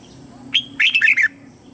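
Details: Lure red-whiskered bulbul singing to call wild bulbuls in for a fight: an opening whistle, then a tumbling sequence of four quick warbled notes, with a low hum beneath.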